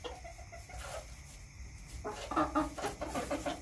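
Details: Backyard hens stay quiet for two seconds, then break into a quick run of loud, clipped clucks with harmonic, slightly nasal tones over faint background hum.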